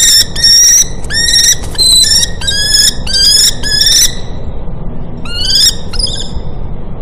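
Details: Common kestrel at a nest in a university building in Cairo, where the female brings food to newly hatched chicks, giving shrill, harsh, slightly upslurred ringing notes in quick bursts with short pauses, over low rumbling background noise.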